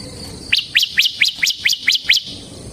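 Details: Bar-winged prinia (ciblek semi) singing in the steady, non-stop 'ngebren' style: seven sharp rising-then-falling notes repeated about every quarter second, over a soft background hiss.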